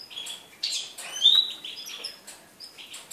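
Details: Goldfinch singing on 4 February 2018: a short burst of bright, tinkling high notes and a quick rising buzzy slur, with light clicks in the background.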